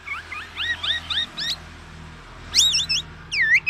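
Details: Tame, actively singing black-naped oriole with a loud, distinctive song: short upslurred chirping notes in quick runs, then a pause and a few louder looping whistled phrases, over a faint low hum.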